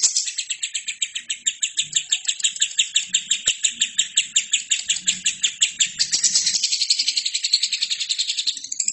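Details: A lovebird pours out unbroken song for tutoring other birds: even, rapid rasping pulses about three per second that turn denser and brighter after six seconds. Faint low sounds lie beneath.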